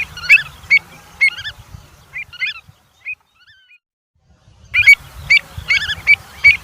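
Avocets give sharp, high 'kleep' notes, several birds calling in quick bursts, with a brief quiet spell midway and a low rumble of background noise.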